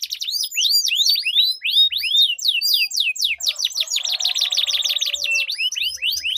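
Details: Canary song duel with long roll, used as a lure for stalled canaries: repeated downward-sweeping whistles accelerate into a dense, fast, buzzy roll, then ease back into sweeping notes.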